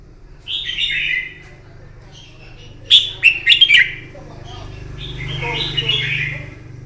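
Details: Red-whiskered bulbul, wild-caught, giving a morning fighting song to train birds: slurred warbled phrases, a sharp stuttering burst of notes in the middle, then softer warbling, with a steady low hum throughout.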